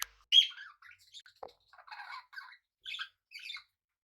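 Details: Pet budgerigars sharing a home with cockatiels give one loud harsh squawk, then quieter scratchy chattering notes in short bursts.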